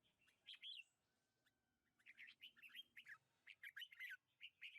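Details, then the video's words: Red-whiskered bulbul singing in a lychee orchard, recorded 21 March 2020: a short warbled phrase, a pause, then a busy run of quick, bubbling, slurred whistled notes in clustered bursts, some rising and some falling, over a quiet background. "เสียงนกกรงหัวจุก ในสวนจี้นจี่"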